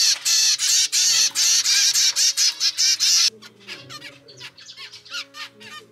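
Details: Normal grey zebra finch chick from a second captive brood with pied parents, begging food: loud, harsh, rapid buzzy bursts for three seconds, then softer scattered chirps and peeps, with quiet music underneath.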